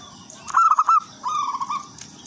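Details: Wild local zebra dove singing actively in a melodious rhythm, a song used as a lure for other zebra doves: a short burst of rippling, bubbling coos followed by a softer, level trill of quick notes.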